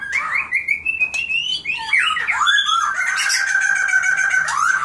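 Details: Sparrows in Souq al-Shuyukh, Iraq, chatter continuously with slurred, squawky chirps rising and falling, several voices overlapping without pause.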